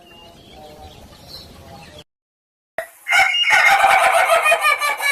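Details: After a stretch of low background noise and a short silence, an Ayam Ketawa rooster bursts into a loud, hoarse, pulsed laughing crow of quick repeated syllables.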